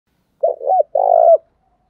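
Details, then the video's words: Spotted dove used as a decoy to provoke wild doves into calling back: a short double hooted note followed by a longer, even, rolling coo ending in a slight downturn, low and mellow, in otherwise silent surroundings. "tieng chim cu mồi thuc boi căng lửa, bổi nghe gáy theo và rất nhanh nổi"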